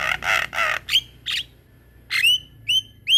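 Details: Black-winged myna singing in full voice for use as training song: three loud harsh rasping bursts, then short upslurred whistles and squawks.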